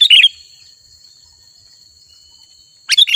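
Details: Chattering sooty-headed bulbul, its song played to draw wild bulbuls close: a short burst of bubbly, slurred notes opens, a long pause with a thin steady high tone follows, then another quick chirpy phrase.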